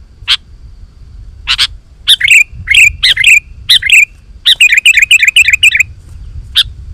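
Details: Sooty-headed bulbul in lively full song, used to lure wild bulbuls into answering: short bubbly chirping phrases around the mid-high range, in bursts after a few sharp clicky notes, with a low rumble underneath.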